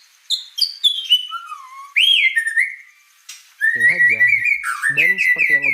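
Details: A white-rumped shama pours out varied song: descending whistles, a swooping high note and fast warbled phrases. A man's voice talks beneath the latter half.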